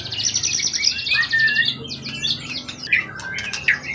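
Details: Contest songbird caught in the forest, tail above 20 cm, long in care: a high buzzy trill, then slurred whistles and scattered sharp calls over a low steady hum.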